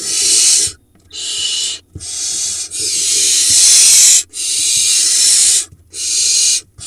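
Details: Barn owl at a nest box in the Hula Valley, Israel, late June, mother bringing food to nestlings before fleeing from a pigeon; long harsh hissing screeches, broadband and rasping, repeated with short gaps.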